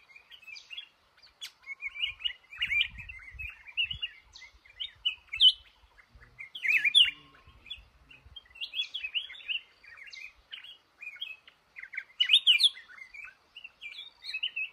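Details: Male red-whiskered bulbul in a trap in a cashew garden, singing bursts of bright warbled, slurred notes in quick clusters, with brief pauses between phrases over about fifteen seconds; faint low rumbling in places.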